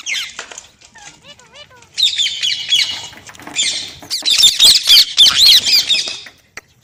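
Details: Green parrot producing a few wavering whistled notes, then dense runs of grating, buzzy squawks that grow louder toward the end before stopping abruptly.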